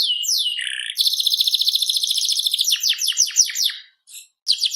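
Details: Canary singing in full, lively voice: a high slurred whistle and low buzzy note, then a long fast rattling trill, followed by quick repeated downslurred notes and short pauses; clean background with no other sounds.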